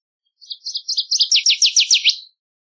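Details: Northern waterthrush singing once: high, clipped notes that build into a loud, emphatic series of sharp downslurred chips, lasting nearly two seconds in a quiet setting.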